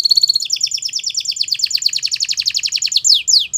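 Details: Belgian canary, a domestic breed, singing as a tutor for training young canaries: a rapid, steady series of high, descending sweeping notes repeated many times per second, ending in a few longer downward-slurred whistles.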